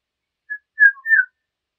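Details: Eurasian golden oriole giving a brief fluty whistled phrase: a short note followed by two slurred, liquid descending whistles within under a second, clean and free of background noise.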